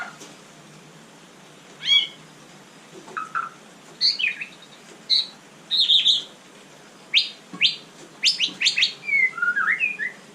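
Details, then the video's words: White-rumped shama (murai batu) at night, giving scattered sharp chirps and short whistled notes after a quiet opening, then quicker bursts of high notes and a closing twist of slurred whistles. "Kicau malam murai batu super GACOR"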